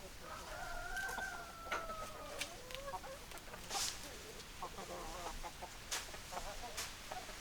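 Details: Chickens, hens and roosters: a long drawn, slightly falling harmonic call lasting about two seconds, followed by scattered soft clucks and sharp clicks over a steady hiss.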